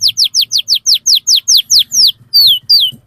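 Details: Canary song used as a lure for young canaries: a regular train of loud, sharp downward-slurred chirps, then two longer sliding whistled notes.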